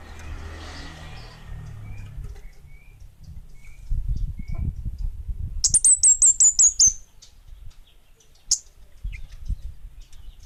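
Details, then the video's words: Orange-headed thrush in lively, prolific voice: after quiet soft chirps and low background rumble, a fast series of about seven piercing high downslurred notes, then one more isolated sharp note. "Suara Burung Kemade Bunga Api Gacor!!!"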